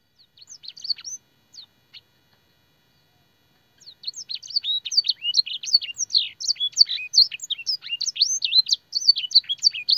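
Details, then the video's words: Master song with blackthroat and sanger phrases for teaching canaries: a few scattered high chirps, a silent gap, then from about four seconds a rapid, lively run of twittering and slurred whistles. "burung kenari gacor isian blackthroat dan sanger - suara masteran burung kenari"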